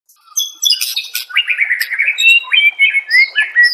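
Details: White-rumped shama master song used to train caged birds, with varied whistled phrases sliding between high and mid pitch, trills and sharp chips in quick succession.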